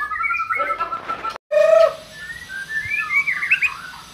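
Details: Melodic whistles and warbles from a white-rumped shama, followed by a brief silence, a low steady tone and soft twittering phrases, in song meant to get a silent shama singing.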